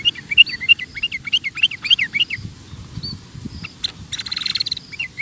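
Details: Chattering sooty-headed bulbul, recorded for training cage birds: a fast series of slurred, bubbly chirps repeated about three times a second, a dense rattling burst of sound toward the end, and steady low background noise.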